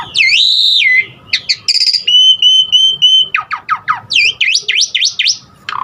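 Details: Asian pied starling giving varied filler song to get other starlings singing: clear whistled notes and a long level whistle, quick downward slurs, then repeated sweeping V-shaped whistles in a fast series.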